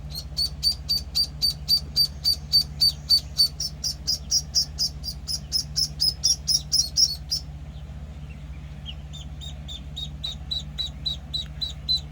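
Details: Week-old Penciled Call ducklings give a rapid run of piercing high peeps, about four a second, then a short lull before the chorus of thin peeps resumes, with a constant low hum beneath.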